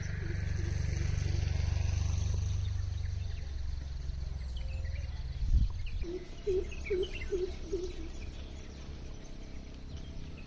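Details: Greater coucal at a house, a run of deep, hollow, evenly repeated hoots, faint at first, then louder and clearer after a thud, with small birds chirping higher above and a steady low rumble of traffic or machinery.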